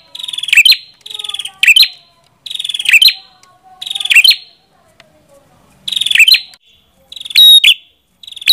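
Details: Prenjak kepala merah song: loud buzzy trills ending in sharp high chips, repeated in quick succession. One lull carries soft, faint sliding whistles, and the series then resumes with slightly varied closing notes.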